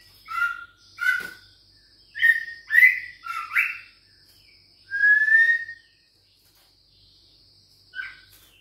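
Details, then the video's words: Six-week-old juvenile white-rumped shama from Bahorok stock, caged, facing a rival: short whistled and scratchy notes given singly and in quick clusters, then a drawn-out whistle, over a constant high-pitched background hum. "Usia 6 Minggu Ditrek Ngelawan💪Trah Murai Bahorok Ori Prestasi"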